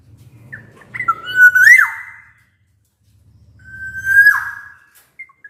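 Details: Black-naped oriole in full song, for prompting reluctant orioles to sing: two clear whistled phrases a couple of seconds apart, each a level flute-like note ending in a downward slide, over a low rumbling hum.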